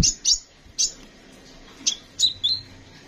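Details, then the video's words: A kolibri ninja sunbird in a quick run of harsh, high chirps and squeaky notes, ending in a short lower wavering note, with faint background hiss. "Burung Kolibri Sepah Raja gacor"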